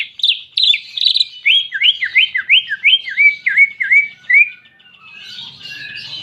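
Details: Greater green leafbird singing clear canary-imitation song. High chips lead into about ten loud, evenly spaced down-slurred whistles, then the song fades into softer warbling.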